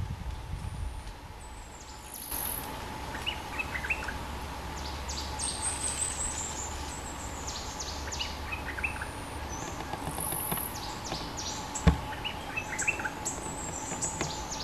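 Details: A young male bulbul with a big voice, recorded 25 January 2024 as a lure call for Puff-backed Bulbul (merbah lekir), sings bright, chirpy phrases of quick notes over a steady low hum and rumble.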